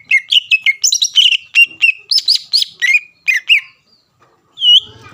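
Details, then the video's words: A greater green leafbird sings hard to incite a rival bird: a rapid tumbling stream of varied chirps and looping whistles for about four seconds, then one final clear slurred note. "CUCAK IJO GACOR MEMANCING EMOSI LAWAN AGAR LANGSUNG BUNYI"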